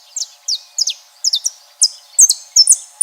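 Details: Saffron finch singing in nature: a series of high, sharp chirps, each sliding steeply downward, delivered in short clusters of one to three notes about every half second against a quiet background.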